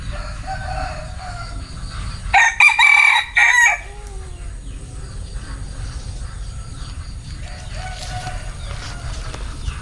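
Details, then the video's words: A bantam rooster gives a single loud, hoarse crow lasting about one and a half seconds, broken into choppy, buzzy segments. It stands out against a quiet background with a low hum and faint distant sounds. "Tiếng Gà trống tre gáy"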